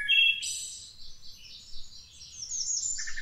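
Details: Wood thrush from the Cincinnati, Ohio area opens with a flutey phrase bursting into a high ringing trill, followed by softer high twittering and a few low introductory notes at the end.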